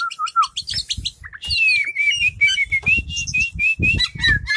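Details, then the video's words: Caged Oriental magpie-robin displaying with its tail spread, giving a lively varied song: low whistled notes first, then a fast run of bright chirps and repeated downslurred whistles, with low thumping noise beneath. "burung kacer super buka ekor"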